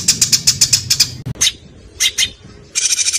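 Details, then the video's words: Small songbird in dense, varied training song: quick runs of high chirps broken by short pauses, then isolated piercing notes and a final burst of rapid chirping, with a soft low rumble in the background. "MATERI JROJOS RAPAT SEKALI TARIK LOSSS! BURUNG KECIL FULL TEMBAKAN MASTERAN BURUNG FIGHTER"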